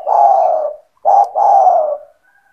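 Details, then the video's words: Spotted dove, a vigorous caller kept by its owner to draw other doves into calling: a long hoarse coo, a short pause, then a brief note running into another extended, rolling low coo, loud and close. "SEMUA TEKUKUR / DERKUKU AKAN TERPIKAT DENGAN SUARA TEKUKUR GACOR INI"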